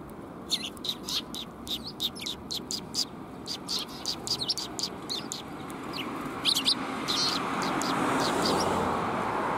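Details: Several sparrows coming to be fed, recorded 20 March 2021: short, sharp chirps repeated about twice a second, irregular, then thinning out as a rushing background noise swells.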